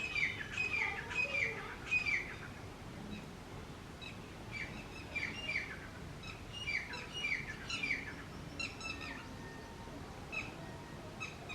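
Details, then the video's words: Male and female grey francolins, known locally as teetar, calling loudly together: clusters of sharp, ringing, repeated notes in rapid runs, pausing and restarting in overlapping bouts, with faint rural background noise. "Male & Female Teetar Birds Voice"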